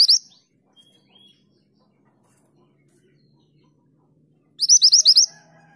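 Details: ['Female mountain mantenan calling to the male, with the end of one chirping burst, a long quiet gap with faint thin whistles, then a second fast series of about six sharp, rising chips.']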